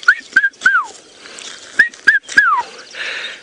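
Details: Red-chested Cuckoo, a brood parasite, heard at sunrise around 5 AM on 5 January 2018 from a dam wall after rain in Sabi Sand, South Africa: two quick three-note whistled phrases, the last note slurring down, with faint birds and brief rushing noise.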